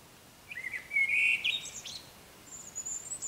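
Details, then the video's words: Eurasian blackbird singing while it is still dark: a mellow fluted phrase with a sustained middle note and a scratchy ending, followed by high, thin notes from a European robin. "Mustarastas laulaa aamulla ja taustalla laulaa punarinta"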